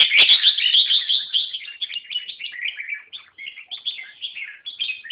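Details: Red-whiskered bulbul in continuous lively song, a rapid stream of warbling, chirping notes that starts loud and gradually softens into quicker, scattered phrases.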